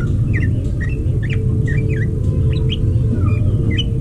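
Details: Captive-bred greater green leafbirds during mating. Scattered bright chirps, several curved and sliding downward, come one after another above a constant low-pitched hum.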